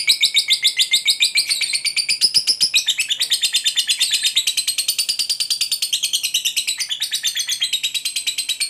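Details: Caged fighter lovebird giving a long continuous chattering trill, meant to provoke other lovebirds: dense high, buzzy, rapidly repeated notes with wavering pitch, sustained without pause throughout.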